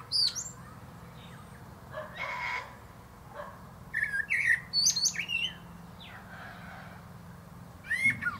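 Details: Male common blackbird singing atop a plum tree. High squeaky notes open the clip, a mellow fluted phrase follows around the middle, then a final high twitter after a pause, over a low hum.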